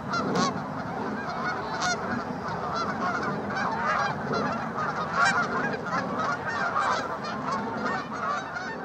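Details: Tundra swans among geese and ducks in Mississauga, Ontario, Canada, on 16 March 2013: loud, sustained chorus of crowded honking whoops, with a few sharp clicks and constant low flock chatter beneath.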